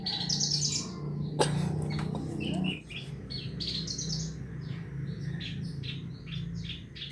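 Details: Horsfield's bush lark, presented as a therapy recording to make the bird sing actively: short high chirps and twitters repeated through the clip over a steady low hum, with a louder rustling burst near the start.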